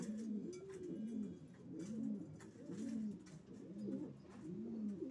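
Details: Racing pigeons in a small room, a run of low, bowed coos about once a second, several birds overlapping, with a soft hiss behind them.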